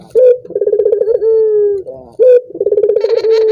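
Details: Call of a collared dove, used to set other doves calling: a sharp upslurred note, a rapid throbbing roll and a sustained, gently descending coo, heard twice in quick succession.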